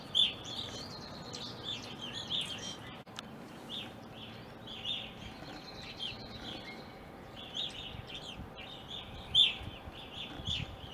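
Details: Evening grosbeaks visiting a backyard in Ohio, uncommon there, from winter 2020 until April 2021. Many bright, clipped call notes are scattered through the clip, several birds overlapping, with a faint steady hum underneath.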